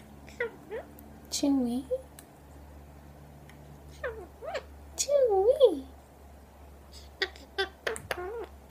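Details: A pet Indian ringneck (rose-ringed) parakeet talks, saying "Chewie!" among short, squeaky word-like phrases with swooping rising and falling tones, separated by pauses, ending in sharp clicks over a low steady hum.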